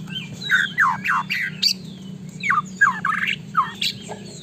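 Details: White-rumped shama singing to draw a quick answer from another shama: rapid series of harsh, falling, scratchy notes about four per second, over a steady low hum.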